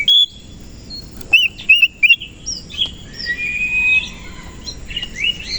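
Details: Oriental magpie-robin of the koci type, singing energetically in the morning with its tail spread. Clear whistled notes, some sliding up or down, come in quick bursts and are followed by longer, steadier whistles. There is light background hiss.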